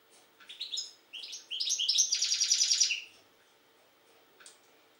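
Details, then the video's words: European goldfinch from Jagodina, Serbia, singing a rapid twittering phrase: a few sharp high notes, then a dense run of fast tinkling, buzzy trills for about one and a half seconds, followed by a single faint chirp. "Stiglic-Jagodina 5"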